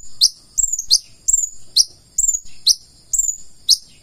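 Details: Purple-throated sunbird, or konin, in energetic full isian song: sharp high notes that fall steeply, spaced about half a second apart, some doubled, against faint low bumping noises.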